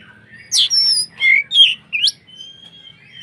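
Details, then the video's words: White-rumped shama (kacer) in full song, used to provoke other shamas into singing: loud whistled and slurred notes, sharp upswept phrases and a long thin high whistle, in short bursts with brief pauses. "SUARA BURUNG Kacer gacor untuk PANCINGAN KACER agar EMOSI dan KONSLET"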